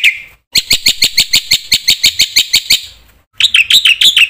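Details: Lively black-winged myna song played to goad other mynas into singing: a fast, even series of about fourteen sharp repeated notes, roughly five per second, then a short burst of varied whistles.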